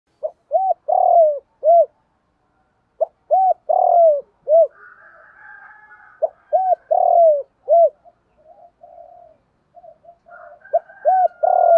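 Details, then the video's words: Spotted dove cooing, recorded for training captive males to call, with hen and cock voices; clear arched coos around the mid range in short phrases, a sustained note mid-phrase, repeated after pauses, with a faint higher whistle behind. "Tiếng Cu Gáy Giọng Hạp BổI [ GÁY GỌI,KÍCH BỔI HIỆU QUẢ ] tiếng cu gáy tập bổi, cu cườm gáy"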